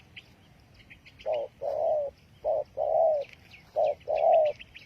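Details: Spotted dove coos played as a trapping lure, three short-long pairs of low hoarse notes over a noisy background hiss, with high thin chirps from other birds throughout.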